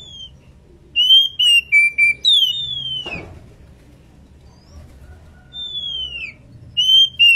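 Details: Female Oriental magpie-robin, in breeding condition, calling its companion: bright whistled phrases of level and falling notes, a brief click, then long downward-sliding whistles and another short phrase.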